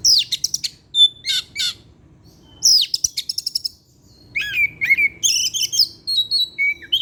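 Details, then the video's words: Caged Oriental magpie-robin (kacer) singing in the evening: fast series of buzzy trills and chattering notes, then clear whistled slurs and rising-falling phrases, loud and rapid throughout. "pancingan suara kacer , Opus setiap sore ngeplay dan keluar materi"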